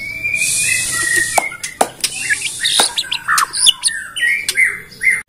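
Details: Bornean white-rumped shama singing a lure song meant to provoke other shamas into song: rich, varied phrases mixing fluty whistles, sharp high chips and clicks, and rapid buzzy notes, with a high hiss at the start.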